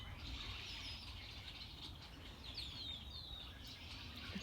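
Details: A hidden flock of what sound like hundreds of red-winged blackbirds in dried cattails of a wetland behind a pond, on a mild late-October day: a dense, unbroken wash of high chattering and squeaky whistles, with a steady low rumble of wind underneath.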